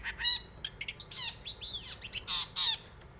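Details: Long-tailed shrike song used to provoke other birds into singing: a busy, varied run of harsh squawks, sharp chirps and arched, downslurred whistled notes in quick bursts, with no other clear sounds.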